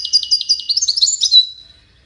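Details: Song contest among five European goldfinches, Morocco: a quick tinkling twitter of bright chirps and short trills, high-pitched and jumbled, ending on a clear rising-falling whistled note.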